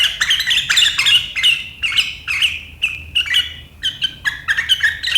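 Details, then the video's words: Sooty-headed bulbul, 7 April 2023, giving a sharp riwikan chatter said to make rival birds join in; loud clipped chirps in quick bursts, some doubled, with brief gaps between. "Suara burung KUTILANG GACOR RIWIKAN yang tajam membuat lawan ikutan ngeriwik"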